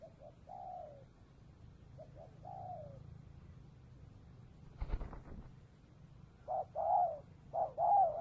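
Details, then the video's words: Spotted dove cooing during an afternoon trapping session near the Cambodian border: short mellow falling coos in pairs, a soft sharp knock midway, then louder clipped coo phrases repeating near the end. "Cu gáy | bắt bổi chiều biên giới cambodia"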